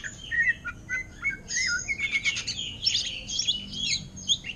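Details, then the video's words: Greater green leafbird, caged and for sale, singing ngentrok in orange-headed thrush style. Short whistled notes at the start build into a dense, high, continuous warble. "Cucak Ijo Ngentrok Gaya Anis Merah"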